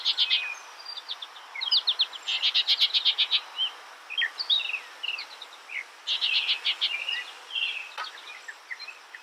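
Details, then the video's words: High, continuous skylark song mixing fast repeated chirps with buzzy trills and sliding whistled notes, several bursts of rapid notes over about nine seconds. "Beautiful skylark bird Sounds"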